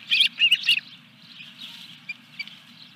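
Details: Osprey at its nest at Dunrovin Ranch, fish delivery, 14 July 2021: three quick, squealing chirps close together, followed by two faint thin notes over a steady low hum.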